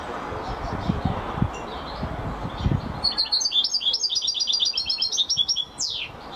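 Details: European goldfinch in champion-style song. After a few seconds of low rumbling noise, the bird breaks into fast, liquid twittering with bright repeated trills, ending on a sharp upward-sweeping note.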